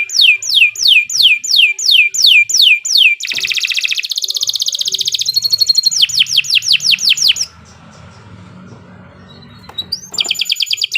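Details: Kenari Nusantara canary in long continuous singing: repeated falling whistles, then a dense buzzy roll, rapid slurred trills, a quiet gap and a final burst of high rattling notes.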